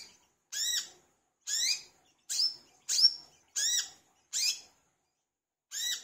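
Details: Energetic olive-backed sunbird, known as wiceh or kolibri kelapa, used as a singing lure: seven bright, upswept-then-drooping chirps at roughly one-second spacing, with a longer pause before the last.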